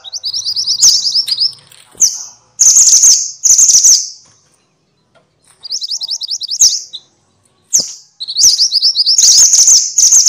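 Minivet calls in bursts of high, rapid chattering notes with sweeping whistled phrases, several overlapping, separated by short pauses.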